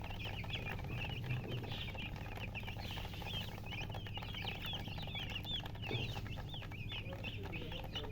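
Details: Baby chickens just hatched, chirping loudly: a steady run of high, looping peeps, many birds overlapping, several per second, set against a low humming background.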